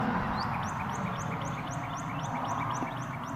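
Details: A cardinal gives a fast series of high, downslurred whistled notes, about four per second, over a low rumbling background; a female calling for her mate from the trees, with a red male on a wire.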